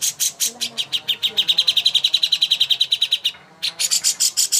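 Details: Greater green leafbird (cucak hijau) master song used to train birds for singing contests: a fast, steady series of sharp high chips, about seven per second, with a brief pause before the chipping resumes.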